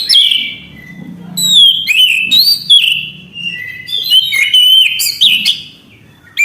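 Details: Continuous loud song from an orange-headed thrush, with strong whistled notes that slide up and down, mixed with quick chattering and mimicked twitters, leaving only a brief lull midway.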